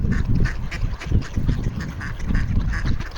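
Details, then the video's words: Ducks calling for food on a frozen pond in Toronto; short nasal quacks come in quick bursts roughly every half second over a heavy low rumbling background. "Ducks are making noise wanting food to eat on the frozen pond"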